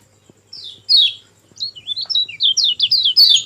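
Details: Lemon-bellied white-eye (kecial kuning) recording meant to coax a silent bird into singing: a few high sliding chirps, then a rapid run of short bright twittering notes over faint low background hum.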